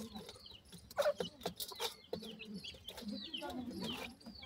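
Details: Young grey francolins, called teetar babies, give high, thin chirping peeps in quick, loose runs. A louder burst comes near the first second, with scratchy clicks and tapping sounds mixed throughout.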